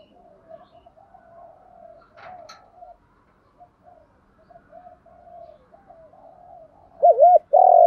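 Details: Cooing of male and female spotted doves meant to provoke captive doves to call; faint murmuring coos fill most of the stretch before a sudden loud pair of looped notes and a long coo at the close.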